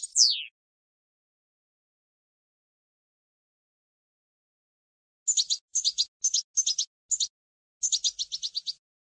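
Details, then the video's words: European goldfinch campero song for educating young decoy birds: one quick downward slurred note, a long silence, then clustered bursts of dry, rapid chattering trills. "Canto del jilguero CD campero para educar reclamos noveles"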